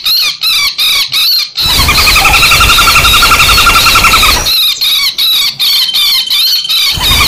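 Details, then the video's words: A woodpecker lure call meant to draw wild birds in, combining fighting and screaming sounds: harsh, shrill screeching notes in rapid bursts, about three a second, with a long, rattling, quavering scream in the middle over a rough noise. "SUARA PIKAT BURUNG PELATUK PALING AMPUH KOMBINASI TARUNG DAN JERITAN"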